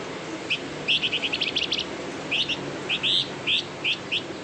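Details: Flamboyan uttering high chirped notes in short quick groups, then spaced single and doubled chirps, set against a hissy background; intended to make other flamboyan sing.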